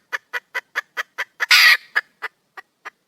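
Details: Female red junglefowl in the wild calling to attract a male; evenly spaced clipped clucking notes, a sudden loud rasping screech in the middle, then slower, fading clucks.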